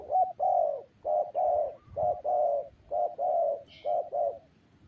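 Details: Loud spotted dove coos in quick pairs: a short note then a longer, soft, hollow one, repeated rhythmically. A faint high chirp is heard near the end.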